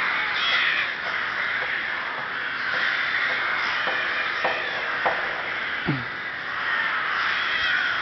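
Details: Rooks calling en masse at Ptačí ostrovy nature monument in Chrudim, Pardubice Region, Czech Republic, 30 May 2011: an unbroken wall of grating caws, punctuated by several sharp knocks and one short low swooping sound.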